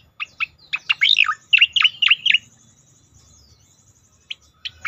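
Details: Striated grassbird song used to trigger other birds into singing: a quick series of bright, descending chirps growing louder, then a pause with a faint high trill and a few last sharp notes.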